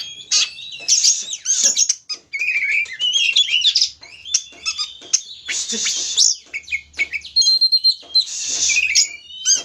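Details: Oriental magpie-robin (kacer) singing as a provoking lure for caged kacer: rich, rapidly changing phrases of sharp chirps, slurred whistles and buzzy rasps, almost continuous across the clip.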